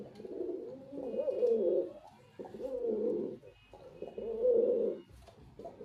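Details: Male white pigeon giving repeated deep coos indoors: three throaty, rolling phrases roughly every one and a half seconds, the last the loudest.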